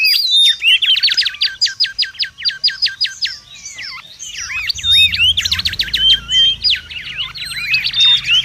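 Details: Mangrove whistler singing busily in the wild; a rapid, dense run of sweeping whistled and rippling notes, with fast repeated up-down strokes early on, then clear drawn-out whistles mixed with chattering phrases and a faint low rumble.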